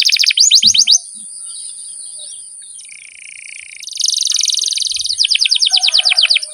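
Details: Canary long vigorous song recorded as a training track for pet birds: fast bursts of rising chirps repeated in rolls, a quieter buzzy passage midway, then a loud rapid trill resuming, over a steady high hiss.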